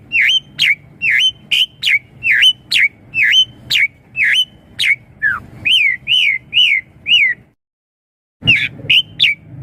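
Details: Asian pied starling singing to coax young birds into replying: a steady series of short, hooked whistled notes, about two per second, then a brief pause and three more sharp notes, with a faint low hum underneath.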